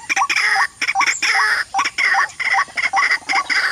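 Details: Waterhen at a mirror decoy trap, with a rival arriving to chase it. Harsh croaking bursts alternate with short rising hoots in an uneven rhythm.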